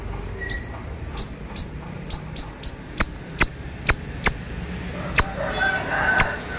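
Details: Training recording of an actively singing siri-siri bird, konslet style: sharp, high chips repeated roughly every half second in an even series, then a softer, noisier murmur near the end.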